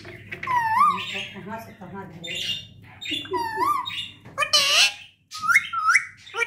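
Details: Pet parrot talking indoors: harmonic, speech-like squawked phrases with rising and wavering tones in short bursts, with a person speaking and faint music in the background.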